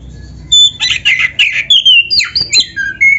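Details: Kacer of the black-breasted form giving rapid, rich song for training other birds: dense buzzy chattering notes, then clear whistled phrases dipping and rising, delivered almost without pause.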